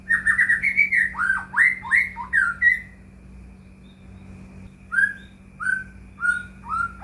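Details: Lure song of the white-rumped shama for prompting caged shamas: a rapid tumbling series of whistled swoops, a pause, then four separate down-slurred whistles about every 0.7 seconds; low hum throughout.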